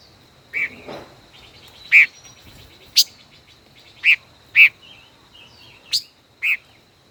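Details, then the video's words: Five-colored bird, a caged decoy kept for more than a year, in a singing contest: bright chips spaced irregularly, interleaved with faint chattering and short whistled twists. "Chim ngũ sắc hót đấu"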